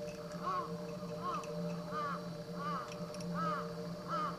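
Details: Black-necked crane kept at the Akan International Crane Center in Japan, filmed on January 8, 2006, giving six loud, ringing, arched calls spaced roughly every 0.7 seconds against a constant droning hum.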